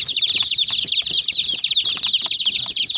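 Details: Many chicken chicks peeping while attacking and pecking at a miniature toy jeep; a dense, continuous chorus of high, rapid, overlapping chirps with no pauses.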